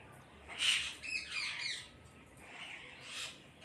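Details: Parrots calling together as a flock. Two or three loud, rough screeches, one with a descending sweep, are set against softer background chatter.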